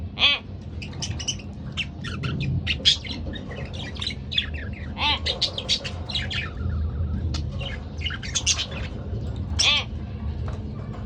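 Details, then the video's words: Pair of pet budgerigars warbling and chirping: busy, scratchy chatter with occasional loud, clear chirps, over low rumbling background noise. "Lovely Couple Budgerigar Bird"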